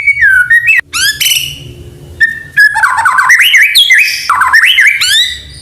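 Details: Medan white-rumped shama singing, played to get juvenile birds to sing: a falling whistle, bright high sweeps, then a dense jumble of chattering and warbled whistles.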